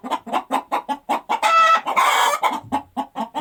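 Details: Hen that has just laid an egg, clucking in short evenly spaced pulses, then a loud, harsh, drawn-out squawk in the middle before the clucks resume.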